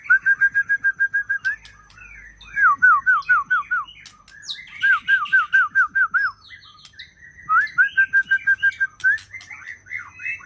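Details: Young wild-caught Aceh white-rumped shama repeating bursts of loud, slurred whistles, each burst about eight quick identical notes, broken by short chattering and sharp high flourishes between bursts, over a low background hum.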